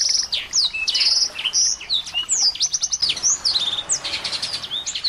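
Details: Small birds in a tutoring recording meant to make a white-rumped shama sing, a busy tangle of sharp rising and falling whistles, rapid trilled notes and short buzzy rattles, continuous with no pauses.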